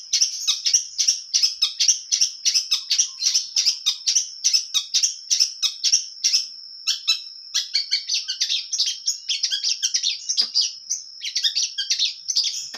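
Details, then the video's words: Long-tailed shrike from Indonesia in a long run of energetic full-material song: rapid, scratchy, high chatter in dense pulses, a brief pure whistle near the middle, then more varied squeaky phrases. "cendet gacor full materi suara jernih"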